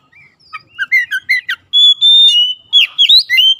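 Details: Oriental magpie-robin song used to coax silent birds into singing: quick, chirpy rising notes lead into a long, steady whistle, then sweeping, rich whistled phrases.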